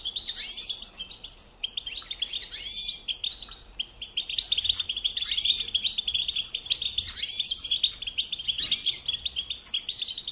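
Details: European goldfinch singing loud, bubbly twittering phrases with sweeping slurred notes that recur every couple of seconds, over a busy, steady high-pitched background of many more birds.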